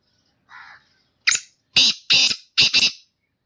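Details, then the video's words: Pet black francolin of the "speeder" kind singing: after a soft lead-in note comes a quick series of four harsh, rasping, broadband bursts, the last two doubled, spaced about half a second apart. "Speeder kala teetar ki awaz | Black Franclion singing"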